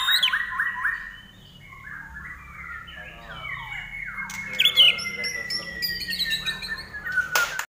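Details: Common iora singing lively, with harsh squawk-like notes at the start, then long varied sequences of falling whistles and rapid high twitters.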